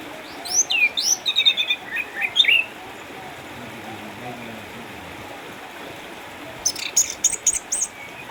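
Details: Orange-headed thrush kept caged in Sukabumi, Indonesia, eight years old, retired from contests by cataracts but still singing hard: a rapid burst of high swooping whistles and chirps, a pause, then a second sharp, clipped phrase.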